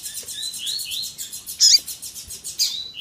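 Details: Double-collared seedeater in tui tui zel zel style with female calling: a rapid high buzzy trill of evenly repeated notes with rising slurred strokes, punctuated by two loud sharp chips.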